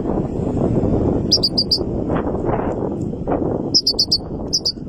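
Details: Three-month-old goldfinch chick singing strongly: short bursts of high, quick twittering notes in three brief groups, separated by pauses, over a steady low rumbling background noise.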